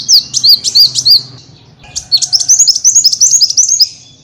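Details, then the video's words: Small birds' lure calls: two bursts of rapid, high slurred notes, a short run of five then a longer rolling series of about a dozen, delivered quickly and evenly. "SUARA PIKAT BURUNG KECIL"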